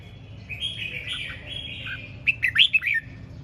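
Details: Red-whiskered bulbul in ché chẻ style song: a drawn-out warbling, wavering whistle, then a quick burst of four or five sharp, loud chirped notes near the end, over low hum.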